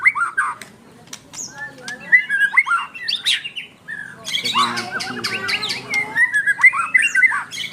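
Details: White-rumped shama of the dokor type singing eagerly: a rapid, varied string of whistles, chatters and sharp clicks, breaking into a dense burst of harsh notes midway before returning to quick slurred whistled phrases.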